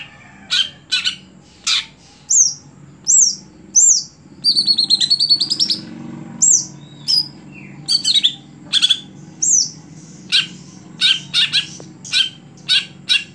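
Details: Cucak hijau, or greater green leafbird, a contest bird no longer singing well at competitions, gives a lively string of high chirps and slurred whistles, with a rapid rattling series mid-phrase and irregular notes about once per second.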